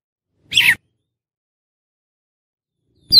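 An Oriental magpie-robin gives one harsh, rasping note lasting about a quarter second. A long silence follows, then a second note starts just as the recording ends.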